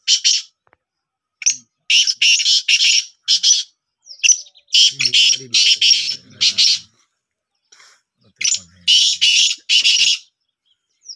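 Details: Pet black francolin giving repeated harsh, scratchy call bursts in several groups, with a brief low human voice in the middle.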